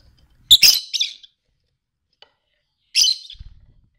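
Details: A masked lovebird (Agapornis personata) trying to mate with another gives two bursts of shrill, harsh chattering screeches, each under a second, about two and a half seconds apart, with near silence between.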